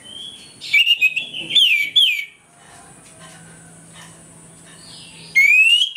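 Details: An orange-headed thrush gives its morning ngeplong song, used to make other thrushes aggressive: rapid whistled phrases with chattering overtones for over a second, a pause with a low steady hum, then another loud whistled burst.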